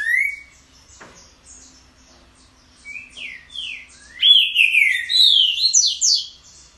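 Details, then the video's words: Unusual song of a green-winged saltator: an opening rising whistle, a pause, then a run of downslurred whistles building into a loud, rich, sliding phrase. "Veja que canto DIFERENTE"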